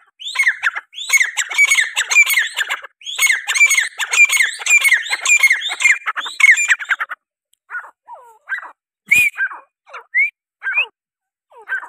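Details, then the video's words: Grey francolin giving about seven seconds of dense, harsh repeated phrases with ringing whistled notes, then fading to sparse short squeaks and whistles and a single sharp knock. "beautiful voice of bird teetar || teetar ki khubsurat awaz || teetar sound"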